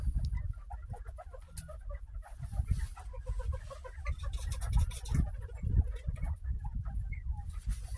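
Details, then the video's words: A group of captive northern bobwhites, just given fresh kale and greens, keeps up soft, quick contented peeps and chirps in a steady chatter over a heavy low background rumble. "Bobwhite Quail Happy Sounds"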